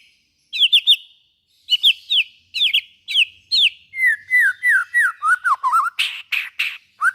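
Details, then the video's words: Song of a white-rumped shama, played to prompt other shamas into singing: clear slurred whistles repeated in short groups, shifting to a descending series of down-slurred notes, then harsh buzzy bursts and a final whistle. "suara burung murai batu buat merangsang bunyi murai batu"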